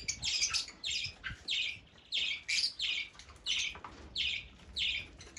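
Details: Rhythmic shrill chirps from Fischer's lovebird, roughly one and a half per second, each note short, piercing and slightly buzzy.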